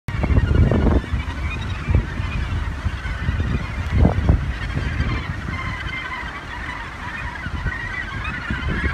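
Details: A dense chorus of harsh, grating calls from many Australasian gannets at the Muriwai Beach colony, New Zealand, with some bursts louder than others, over a steady low rumble of wind and surf.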